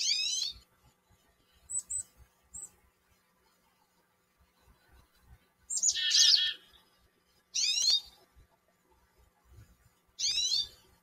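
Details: A chickadee in a backyard gives harsh, buzzy 'dee' notes, a few spaced seconds apart, with faint high 'chick' notes between them. Otherwise fairly quiet.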